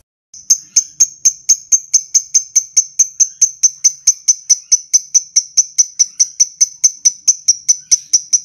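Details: Lovebird in a long ngekek trill: an unbroken series of sharp, high, even 'kek' notes, about four per second, keeping a steady pace and loudness from start to end with no other sounds.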